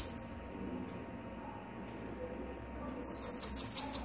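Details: Bananaquit (sibite), male and female: the tail of one very high buzzy phrase, about three quiet seconds, then a new rapid sizzling trill of repeated high notes.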